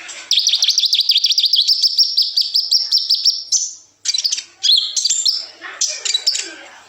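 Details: Kolibri ninja sunbird song for tutoring other birds: a long, rapid, buzzy trill lasting about three seconds, followed by sharp, twisting high chirps.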